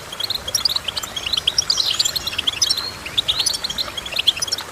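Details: A goldfinch sings a lively run of bright, high chirps mixed with a short rising slurred note and fast trilled twitters, with no other clear sounds.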